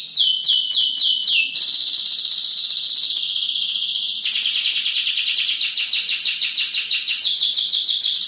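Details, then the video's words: Loud caged canary song, new and old cages mentioned: quick descending sweeps, then a long high buzzing roll, dropping lower, and finally a return to rapid repeated sweeping notes. "Kenari Burung Sapari"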